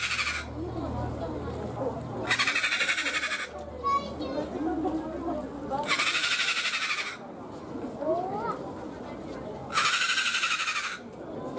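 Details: At Ueno Zoo, Tokyo, Japan, a zoo-kept sulphur-crested cockatoo repeats loud grating screams, four in about twelve seconds, each roughly a second long, with people talking and children's voices in the background.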